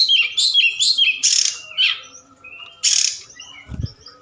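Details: Forktail lure call recorded at night, meant to spur other birds to answer. Wavering chirped whistles are followed by harsh noisy bursts and scattered thin high notes, with a faint low thump.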